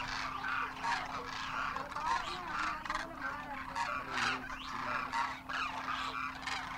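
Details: Large flock of wild Demoiselle Cranes in Rajasthan, India, in winter, young birds with parents, trumpeting as they fly; dense, clangorous rolling honks from many birds, swelling and dipping, over a faint hum.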